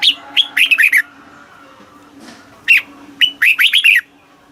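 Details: Caged red-whiskered bulbul from Thailand singing in the southern master-phrase style, played to excite other caged birds and teach young birds. Two bursts of five to six quick, slurred, warbled whistles, separated by a pause, over a faint steady low hum.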